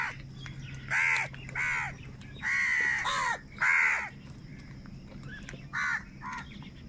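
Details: Angry crows fighting for food give a run of loud, harsh, ragged caws, some doubled, with short gaps, then softer distant caws toward the end over a low background hum.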